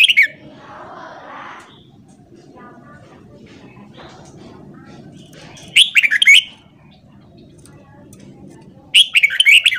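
Red-whiskered bulbul giving short bursts of bright, bubbly whistled notes, three phrases spaced several seconds apart, over a low steady hum.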